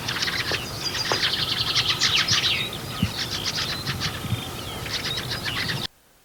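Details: Fieldfares, winter visitors in the UK in late autumn to winter, giving harsh, rattling, very repetitive quick chack-chack calls in noisy bursts, several per second and overlapping as from a flock, with a soft outdoor background.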